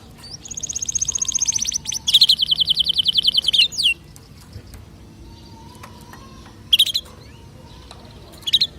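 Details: Canary song aimed at getting other birds to sing: two rapid high trills in succession, followed by near silence broken by two brief chirp bursts.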